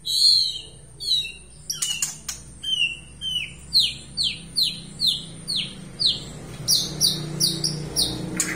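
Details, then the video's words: Aceh white-rumped shama in full, energetic song: opening sharp chips, then a rapid rhythmic series of about a dozen downslurred whistled notes, ending with high clear repeated phrases. "MURAI BATU ACEH PALING GACOR DI DUNIA"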